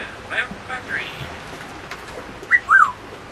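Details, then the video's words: Pet African grey parrot, an eight-year-old female living aboard a sailboat, entertaining charter guests: soft, faint vocal sounds early on, then two loud, short whistled notes that rise and fall in quick succession near the end, over quiet background hiss. "Talking Parrot"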